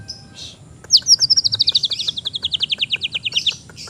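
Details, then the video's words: Oriental magpie-robin tutoring song, played to train or lure an untrained bird: a high, rapid trill of about twenty-five sharp, even notes that falls slightly over three seconds, with a brief higher chirp on either side. "MASTERAN ATAU PANCINGAN BURUNG MURAY BAHAN"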